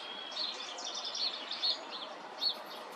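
European robin singing a thin, high, wavering warble of quick notes that jump between pitches, faint over a steady hiss of background noise.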